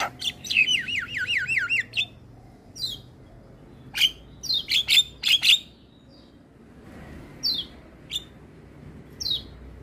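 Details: Javan myna morning song for young mynas to copy, opening with a wavering trilled warble, then scattered sharp squeaks and high downslurred whistles separated by pauses.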